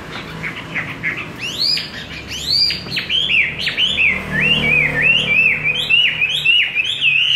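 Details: Chinese hwamei with a wild-type voice, kept and fed homemade bird feed, singing a loud rich stream of whistled notes: sweeping rising-falling phrases at first, then rapid repeated slurred whistles around the same pitch, continuous throughout with faint low background hum.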